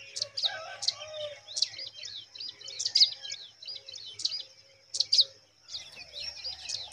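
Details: Pipit nestlings in the nest give high, thin chirps in short bursts, several sharp notes clustered irregularly with brief pauses, steady faint background hiss.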